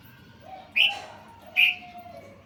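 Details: Sooty-headed bulbul in a training recording for songbirds: two short, bright, high chirps about one second apart, with a steady low drawn-out tone running beneath.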